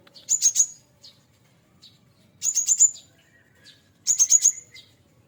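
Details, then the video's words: Cinereous tit kept since a nestling, now nearly adult, giving full-fill song: three short bursts of four or five piercing, very high notes, each about a second and a half apart, in near silence. "burung Gelatik batu full isian"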